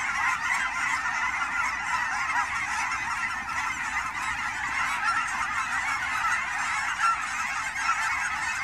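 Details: At the Willamette Valley ponds of Fern Hill Wildlife Area, Oregon, a migrating autumn flock of Canada geese honks ceaselessly, countless overlapping nasal calls merging into a steady, even chorus.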